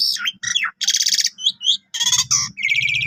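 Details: Javan pied starling singing actively with a full repertoire, meant as an early lure and canary tutor: harsh rasping bursts, buzzy trills and short squeaky notes in quick separate phrases, with a faint low hum beneath.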